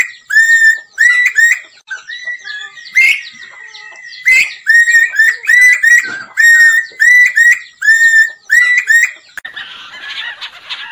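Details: Lesser necklaced laughingthrush singing to lure birds into a trap; loud clear whistled notes, each rising then dipping, in rapid irregular runs with short pauses, ending in a burst of noisy rustling.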